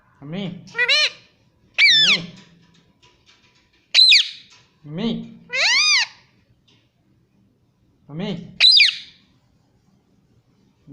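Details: Pet Indian ringneck parrot indoors repeating the word "Mummy" in a high, nasal mimicking voice: short two-part phrases, a low buzzy start rising into a bright arched note, given about every two seconds with silent gaps.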